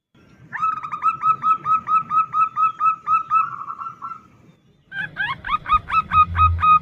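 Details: Female zebra dove calling the male with the call known as nutut, used as a lure: rapid runs of short, clipped mid-pitched notes at about four per second, a brief gap, then another quick series over a low rumbling background.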